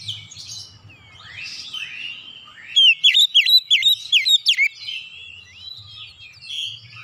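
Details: Kacer (Oriental magpie-robin) song opening with soft, breathy slurred notes, then a tight run of about eight loud, piercing whistled downslurs, fading back into quieter varied warbling.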